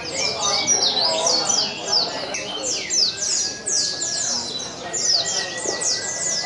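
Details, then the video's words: Competing pleci (Oriental white-eyes) at a singing contest in Sungai Pinyuh on 29 January 2017 pour out dense, high-pitched twittering, quick downslurred notes in pulsing bursts, a long thin whistle tone and murmuring people behind. "Kontes Suara Burung PLECI"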